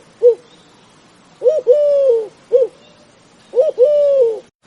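A dove gives soft, low cooing phrases: a short coo followed by a longer, drawn-out note, repeated in pairs about every two seconds.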